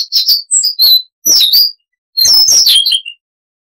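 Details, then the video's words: Siberian rubythroat, a small songbird with a richly varied chattering song: a few scattered high whistled notes and two short warbled bursts separated by pauses, in a quiet recording. "Masteran Burung Luar Negeri Suara Unik Asli HD AUDIO - Siberian Rubythroat (Luscinia calliope)"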